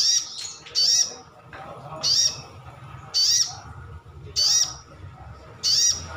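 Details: Sunbird, a privately kept cage bird, giving a wild-style call used to make other birds respond: sharp, high, slurred notes in short bursts about every 1.1 seconds, five bursts, over a faint low background hum.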